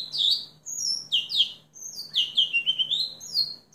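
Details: House finch song: a rapid warbled phrase of bright, slurred notes sweeping down, then a second run of jumbled, chirping syllables ending in a rising note. A faint low hum runs underneath.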